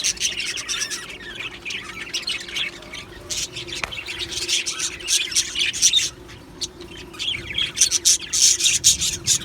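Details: Group of Australian budgie birds in an aviary keeping up busy chatter: quick high warbled chirps and scratchy squawks, rising in density near the end, faint hum beneath.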